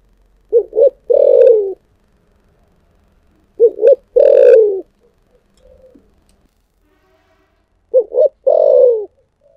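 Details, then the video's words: Repeated cooing from a spotted dove with a 'thổ sấm' voice: three phrases roughly every three and a half seconds. Each has two quick hoots and then a long, falling coo, with faint soft notes in between. "chim cu gáy giọng thổ sấm chuẩn nhất"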